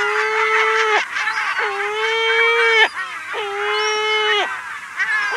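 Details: Lesser black-backed gull giving long, drawn-out mew calls, each held steady for about a second, close up in a colony on Walney Island, Cumbria, UK, with other gulls calling in the background.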